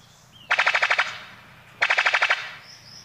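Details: Male brown sicklebill (Epimachus meyeri), New Guinea, giving two bursts of rapid, harsh, metallic pulses, about seven or eight to a burst, likened to a jackhammer or machine gun.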